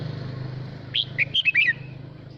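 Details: Red-whiskered bulbul male singing a call to the flock: a rapid string of clear whistled chirps, rising and falling, over a low continuous rumble.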